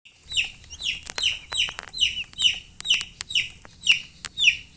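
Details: Baby chicks chirping: repeated high, rising-falling peeps about twice a second, with light tapping and faint background noise.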